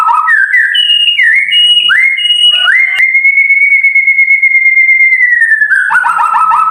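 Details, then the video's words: White-rumped shama tutor song, sharp, clear and long rolling: short rising whistles lead into one long steady whistle lasting nearly three seconds, ending in a rapid stuttering trill. "Suara Murai Batu Masteran Cepat Gacor"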